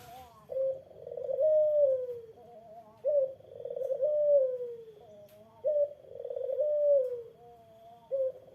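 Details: Eurasian collared dove (puter) giving repeated coos meant to provoke a rival into replying: three phrases about every two and a half seconds, each a clipped note followed by a drawn-out throbbing coo that sinks at the end.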